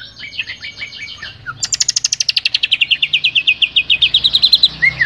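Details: Greater green leafbird singing in the loud, open ngeplong style, used as tutoring material for cage birds: a brief chattering start, then a fast run of about thirty clipped, ringing notes that slowly descend, and a final short whistle.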